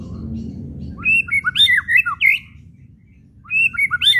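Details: White-rumped shama chattering call used to excite shamas into singing: a fast series of high whistled and chattering notes, a pause, then the phrase begins again.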